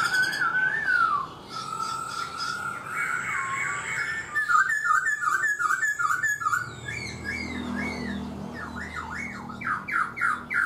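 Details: Black-throated laughingthrush, caged for four months, giving a falling whistled phrase, a series of quick repeated whistled notes, then rapid zigzag whistles near the end, with a low background hum.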